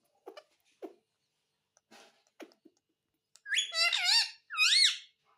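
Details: Indoor pet ringneck parrot: soft clicks and taps first, then two loud whistled, harmonic word-like phrases that rise and fall, near the end.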